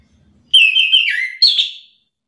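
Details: Agitated Orange-headed thrush singing back at a rival: clear whistled notes slurring downward, a short pause, then a sharper, higher burst that fades away.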